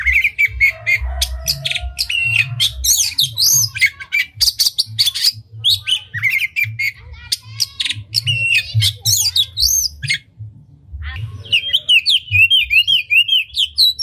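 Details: Magpie-robin singing with tail fanned, to rouse other magpie-robins into singing: fast, harsh chattering notes and twitters, then rising and falling whistled phrases, with a constant low hum behind.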